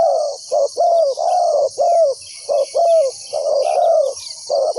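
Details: Spotted dove used as a ground decoy to lure and trap wild doves: low hollow coos in quick groups of short and drawn-out notes, about one per second, over a steady high insect buzz.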